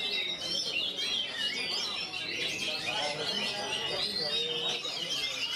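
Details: Oriental magpie-robin singing in continuous 'ngerol' style with tight gaps: a dense, unbroken stream of whistled and chattering phrases, rapidly rising and falling notes packed closely together, with faint background murmur.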